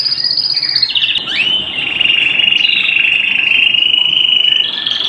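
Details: Domestic canary song at home: a sustained high rolling trill, sliding down then holding steady before lifting again near the end, with a brief clipped note near the start.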